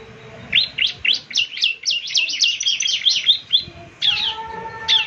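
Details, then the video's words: Ciblek (Bar-winged Prinia) in lively 'gacor' song, meant to be played every morning so other ciblek answer; rapid high chirped notes tumble in a dense run, then a louder burst with a faint low hum beneath. "ciblek semi gacor, putar tiap PAGI agar ciblek semi ikut nyaut bunyi GACOR"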